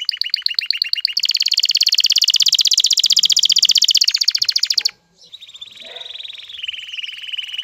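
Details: Excited male canary courting a female, with the hen's call also present: quick repeated notes open into a long loud rolling trill, then a sudden break, and a softer, lower warbling trill follows.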